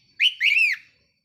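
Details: Decoy red-whiskered bulbul kept in a cage, recorded 4 May 2023; a loud clear whistled phrase, a short note then a longer rich slurred note falling at the end.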